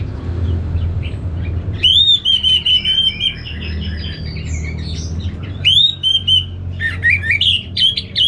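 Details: Anis merah (orange-headed thrush), North Bali, sings two loud bouts of ringing whistles mixed with rapid chatter, separated by a quieter gap. The second bout ends in short, varied, jumping notes over a low hum.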